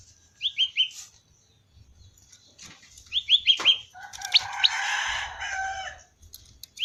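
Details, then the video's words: Prinia locally named prenjak lumut in 'ceng-ceng' style. Two quick bursts of three rising whistled notes, broken by a burst of wing-flapping noise, then a single final upslur. "suara asli khas prenjak lumut(ceng2)"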